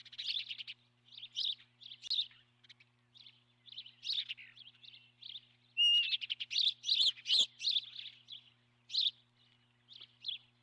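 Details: Osprey at the nest, nest camera recording from 12 March 2016 at about 09:18; fast, nearly continuous high piping chirps, several per second, intensifying midway with a loud clatter, then easing off.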